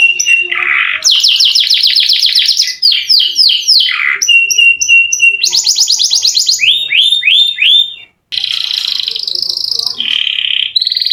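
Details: Canary with a long rolling song used to lure lazy canaries to sing: fast trills of falling notes, clipped chips, repeated hooked whistles and buzzy rolls, broken by a brief silence.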